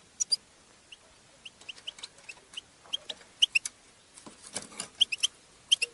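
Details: Female European goldfinch batbata used to stimulate males to sing and mate: sparse, sharp high chirps and clicks spaced irregularly, with quiet gaps between them.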